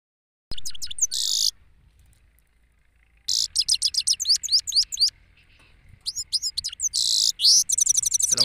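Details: Male European goldfinch from Pakistan singing in an open place: bursts of rapid, high, tinkling twitters and sharp rising and falling chirps, broken by a silent pause, then a long liquid run of quick notes.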